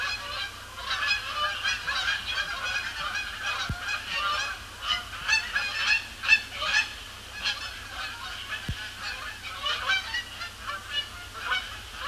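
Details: Canada geese arriving after sunset on an overcast October 2017 evening, circling before landing on Sapsucker Woods Pond, Cornell Lab of Ornithology; dense, loud chorus of honking from many birds, rising and falling in bursts, with a faint low hum beneath.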